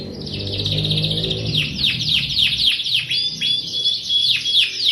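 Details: Canary singing in an energetic stimulating style: fast, high trills of dry chirps, then a run of steep downward-sweeping whistled notes, with a faint low hum under the first half.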